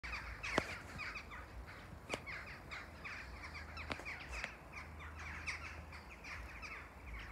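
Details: Flock of western jackdaws alarmed by something, giving short, sharp, scratchy chack alarm calls in an irregular overlapping flurry over a low steady hum.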